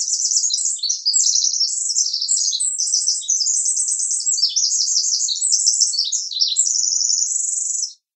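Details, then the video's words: Pacific Wren song: a long, unbroken jumble of very high, rapid tinkling notes and trills lasting about eight seconds, with no other sounds. "Pacific Wren Call"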